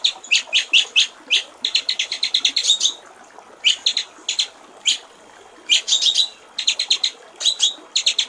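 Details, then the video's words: Master training recording of a white-rumped shama giving its clear water-trickle song with full fill-ins: quick runs of crisp, repeated high chips broken by two short silences, delivered steadily throughout. "masteran murai batu/ suara jernih gericik air"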